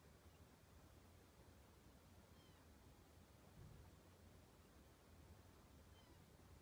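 Eurasian bullfinch giving two soft, piping, downslurred whistles about three and a half seconds apart, faint over a steady low rumble.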